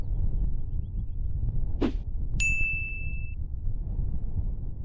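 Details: Low outdoor rumble with a single metallic ding that rings on for about a second, and no animal call.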